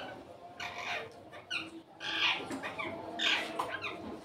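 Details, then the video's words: Indian ringneck parakeet eating guava indoors, giving short harsh squawks with rasping harmonic bursts at irregular intervals, with a louder pair of calls near the middle and the end, over faint room noise. "Ringneck parrot eating guava Ringneck parrot sound"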